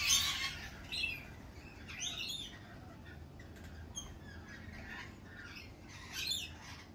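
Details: Spring at a lorikeet cafe: a loud shrill screech opens, then scattered raspy, buzzy squawks from several birds roughly every second, with a strong harsh burst near the end over a soft low background hum.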